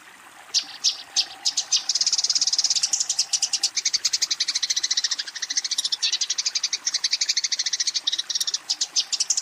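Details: Eurasian tree sparrow calling a rival during a fight: a few separate high chirps build into a long, dense, rapid chatter that runs for several seconds with slight changes in pace.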